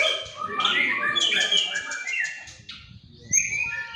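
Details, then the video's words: Bowing, performing white-rumped shama pouring out luxurious isian fill-ins: a fast buzzy rattle, then clear whistled slurs dropping and rising. A brief pause precedes a high sharp note, with faint background talk. "murai batu pastol Tiki-Taka tampil sujud buang isian mewah"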